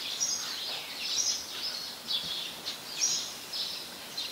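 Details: House sparrow, a very common resident in Ubon Ratchathani, Thailand, recorded 17 January 2020: thin high cheeps and chirrups in a steady loose stream, a few sharper notes standing out over background hiss.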